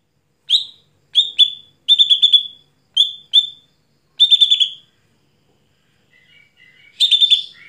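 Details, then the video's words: Greater green leafbird (cucak hijau) singing vigorously at night: short bright chattering bursts, some trilled and stuttering, repeated about every half second to a second, then soft lower whistled notes before a final rapid burst; no other sounds. "Mitos Cucak Hijau Gacor Malam Hari Tidak Bisa Buat Lomba"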